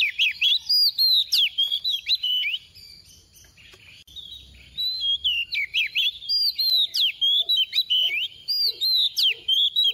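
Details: Female decoy oriental magpie-robin singing the 'tìu tíu tiu' style to trigger singing in other magpie-robins; loud, rapid chains of sweet whistled notes and sharp slurs, a short pause, then renewed bursts over faint lower knocking sounds.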